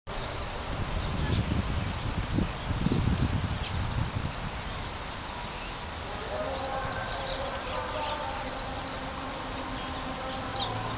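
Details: Graceful prinia recorded in Sharjah. It gives a fast series of thin, high, evenly repeated notes in the second half, with low rumbling background noise and faint lower-pitched sounds.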